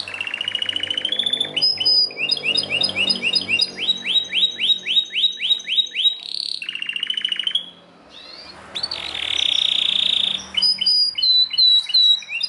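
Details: Belgian canary in strong, varied song: rolling trills, runs of rapid upswept whistles, a short pause, then a loud buzzy trill and further chirping phrases.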